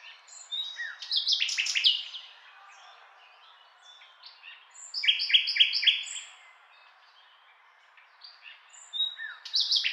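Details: Nightingale song in phrases separated by pauses: a rich jumble of whistles and rattles, a run of rapid repeated buzzy notes around the middle, and a fresh loud phrase starting at the end.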